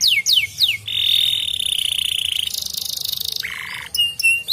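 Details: Singing canary meant to encourage other canaries to sing: three quick downward whistles lead into an extended even rolling trill, shifting to a higher buzzy roll, then a low rattle and brief whistled notes.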